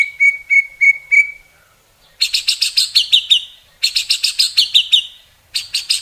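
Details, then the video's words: White-rumped shama (murai batu, Indonesia) delivering rich 'isian' phrases: four evenly spaced clear whistles, then repeated bursts of fast harsh chattering notes separated by brief silences. "Masteran Murai isian mewah tembakan panjang panjang super pedas | shama bird song"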